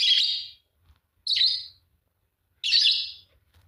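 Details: Pair of green Fischer's lovebirds giving three loud, rasping high-pitched chirps spaced about 1.3 seconds apart, each fading out, over a quiet low hum.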